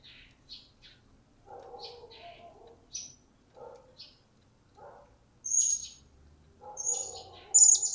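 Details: Captive blue-crowned hanging parrot, recently acquired and starting to sound off: sparse thin chirps, then loud shrill high whistles toward the end, with lower warbled notes in between.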